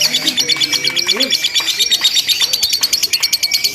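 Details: Lovebird ngekek from a contest simulation: a steady, rapid high chatter with thin whistled tones above, while softer lower squeaks slide upward in the background.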